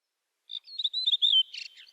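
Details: Redwing song fragment: a brief run of high chirping and warbled notes, ending in a burst of scratchy twitter, with no other sounds.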